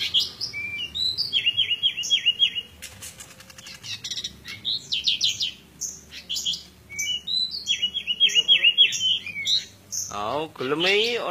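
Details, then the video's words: Fight-style song of a pied bushchat: busy, high-pitched chattering phrases with repeated quick trilled notes, sharp whistles and scratchy bursts, ending with a lower wavering voice-like sound. "Fight Decu kembang"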